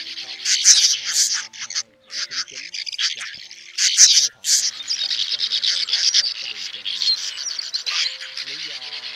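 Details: Swiftlets, male and female, calling their flock to roost, recorded for luring birds into nets: loud, continuous high twittering and rasping chatter, surging in intensity around the fourth second, over faint lower tonal sounds.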